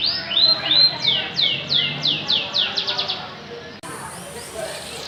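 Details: Canary song of high arched whistles slowing into spaced descending sweeps and a short quick trill, then stopping abruptly, followed by faint hiss.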